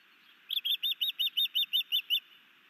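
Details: Newly arrived male osprey performing a sky dance and bringing a fish to its mate at a nest at Hellgate Canyon, Missoula, Montana, 11 May 2019: about ten sharp, high chirps in an even, rapid series.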